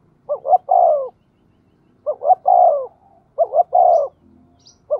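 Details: Decoy spotted dove calling to provoke wild doves, a 'giọng thổ' voice style: low mellow phrases of two short clipped notes and a long throaty coo, three phrases at roughly one-and-a-half-second gaps, otherwise quiet.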